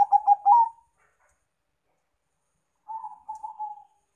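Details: Zebra dove lure song of Bangkok and local types: a loud, stuttering burst of rapid mellow coos lasting under a second, a long silence, then a softer rolling, trilled coo phrase; clean background.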